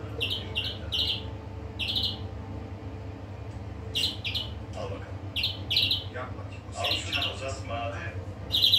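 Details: Greenfinch song of rapid, repeated short chirping notes in quick clusters, then a jumble of twittering and buzzy notes, over a low continuous hum.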